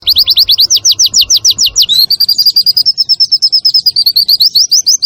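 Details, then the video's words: White-eye in the nembak style with kunti, wit wit and kenari elements, a clear-voiced training song for caged birds: very high, fast chirps, a run of steeply rising strokes giving way to a dense twittering stream of short notes. "MASTERAN PLECI NEMBAK SUARA JERNIH || Pleci Nembak Kunti Wit Wit Kenari"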